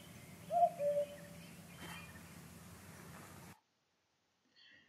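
A common cuckoo gives one clear two-note 'cu-coo', the second note slightly lower, over a low steady hum before a brief silence.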